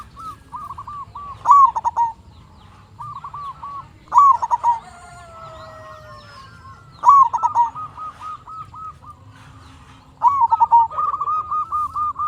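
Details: Lively local zebra dove singing as a lure to make other zebra doves answer: four loud phrases about three seconds apart, each opening with an accented note and running into quick bubbling coos, softer wavering coos between, low hum behind.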